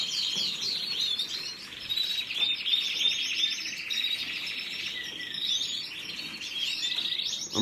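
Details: Continuous canary warbling, dense rolling trills mixed with thin whistled notes and rapid chirps, hardly any pause across the whole stretch.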